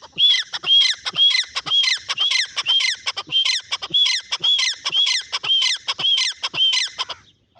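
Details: Francolin calling loudly, a harsh, squawking phrase with a bright upper note repeated about twice per second in a steady series, close and clear over a quiet background.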